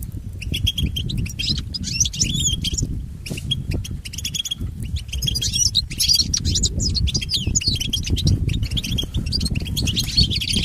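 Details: European goldfinch song intended for training pet goldfinches. Steady twittering of high chirps and short trills continues across the whole stretch over a loud, constant low-pitched hum.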